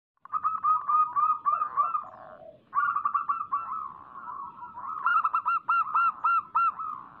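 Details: Local zebra dove song used as a lure to set other doves singing, a lively 'gacor' style: soft, rapid staccato coos near one pitch, run together in fast rolling bursts with brief pauses and a higher bright phrase near the end.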